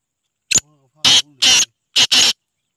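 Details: Black francolin, known locally as kala teetar, singing: a harsh, grating phrase of one short click followed by four loud raspy bursts, the last two run closely together, over about two seconds, with faint low murmuring between notes.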